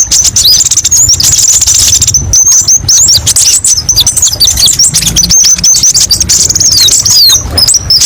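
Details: Kolibri ninja sunbird in a training recording for other birds, pouring out a continuous high twittering song full of thin whistled slides and rapid chirps, with brief gaps near the two- and five-second marks.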